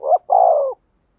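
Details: Single short phrase from a spotted dove decoy luring wild birds: one brief hooting note, then a sustained, slightly falling mellow coo, followed by silence.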